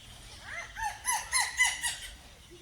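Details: Eastern plantain-eater perched on a tree branch on a sunny day, flying and landing among branches, giving a quick run of five or six loud, harsh, arching notes about a third of a second apart, over a faint rural background.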